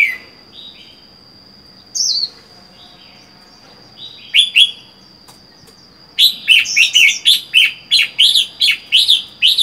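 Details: Wild-caught red-whiskered bulbul kept alone in a cage for four months gives scattered whistles, then a rapid run of about ten sharp repeated warbled notes in three and a half seconds; a steady high whine throughout.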